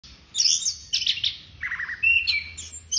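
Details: Orange-headed thrush singing energetically: high buzzy and chattering notes, a lower grating phrase in the middle, then rising sharp whistled notes.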